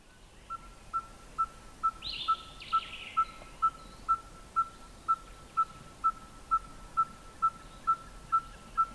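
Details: Red-fronted Tinkerbird in southern Africa, calling from a song post atop a bush to advertise presence or attract a mate: a steady series of mid-pitched hollow 'pop' notes, about two per second; a brief higher buzzy call from another bird cuts in early.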